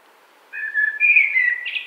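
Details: Common blackbird in a spring wood, 2017, delivering a smooth, low fluted whistle that swells and ends in a brief higher twitter.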